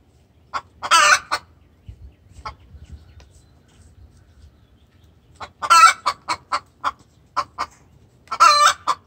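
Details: Extremely vocal hen calling the rooster in distress; bursts of loud harsh squawks each followed by a rapid string of clucks, with a quieter gap between.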